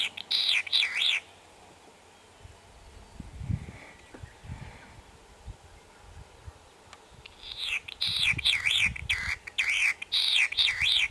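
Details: Latham's snipe (Gallinago hardwickii) in Hokkaido, Japan, 28 May 2020, gives harsh, rasping notes in a fast wavering series, in two bursts with a quiet gap and a low rumble of wind between.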